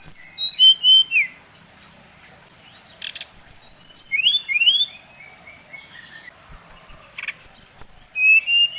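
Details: Brown-chested jungle flycatcher from Bali in provoking lure song: repeated phrases of crisp whistles tumbling downward, then rising notes, then a final burst of high falling whistles, all clear against a quiet background.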